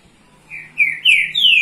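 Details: Green-winged saltator from Rio de Janeiro, Brazil, singing to warm up the young birds: three bright slurred whistles, each louder than the last, sliding down and then rising at the end.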